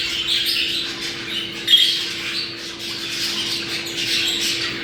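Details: Budgerigar breeding-stimulation chatter: overlapping high, scratchy warbles and squeaky chirps run without pause, with one sharp louder squeak partway through, all over a constant low hum.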